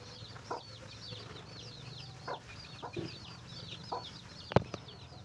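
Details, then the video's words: Chickens finding food for their chicks: scattered soft, low clucks from the adult among a steady stream of thin, high, rising peeps from the chicks, with one sharp click near the end; quiet overall. "Chicken find a food for their baby"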